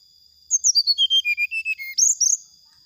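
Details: Provocation song of a brown-chested jungle flycatcher, meant to make rivals react fast: about ten crisp whistled notes descending in a stepwise cascade, then a rapid high rising flourish, clean background with a faint steady high tone.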